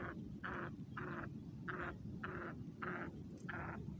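Black francolin giving a series of harsh, grating notes, about seven in four seconds at a steady pace, over a heavy low rumble of background noise.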